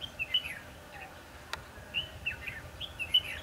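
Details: Red-whiskered bulbul used as a decoy during trapping on 22 December 2015: short bright whistled phrases, warbling up and down, given in two bursts with a pause between, over a low rural background hum.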